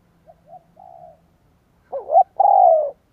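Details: A few soft, short coos lead into a loud spotted dove phrase, two quick bent notes then a sustained descending coo, given to lure wild doves.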